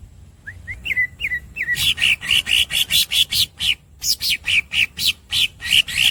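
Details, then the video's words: Green cucak, the greater green leafbird, on a masteran recording: several short rising whistled squeaks, then a fast series of loud, sharp squeaky chips with a brief pause midway. "The real green cucak masteran bird squeaks and long rolls"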